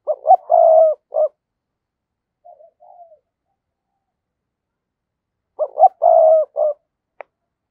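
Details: [2, 'Spotted dove used as a decoy, cooing to draw in wild doves: a stuttering two-note lead-in, a drawn-out rolling coo and a clipped final note, soft murmurs between, phrase repeated after a pause; a single faint click near the end.']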